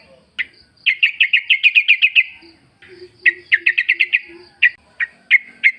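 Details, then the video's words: Yellow-vented bulbul recorded in the wild as a lure to draw replies. Rapid rows of short, bright, evenly spaced notes, then scattered single chirps, over faint low calls. "pancingan trucuk gacor ngalas full suara alam"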